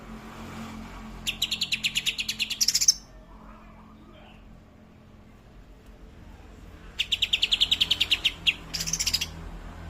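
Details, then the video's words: Greater green leafbird song in 'tembakan' style: a burst of rapid, bright repeated chirps ending in a higher note, a long quiet gap, then two more short bursts of the same fast staccato notes. "Cucak hijau tembakan kapas tembak"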